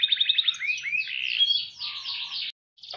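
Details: Caged canary singing vigorously in the cengkok mewah style: a fast high trill, then rising whistled sweeps and a run of rapid buzzy descending notes, ending after a short pause with a brief burst.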